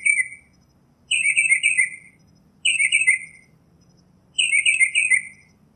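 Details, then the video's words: Northern mockingbird song: a buzzy, descending chattering phrase delivered four times at intervals of roughly a second and a half, clean against a quiet low background. "Northern Mockingbird Song, Sound, Voice, Call, Melody - Sinsonte Canto - Mimus Polyglottos"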